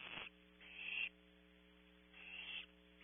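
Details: Owlet of barn owl in its nest at Audubon Starr Ranch, California: three drawn-out, breathy hissing screeches separated by pauses of about a second, with a steady electrical hum throughout.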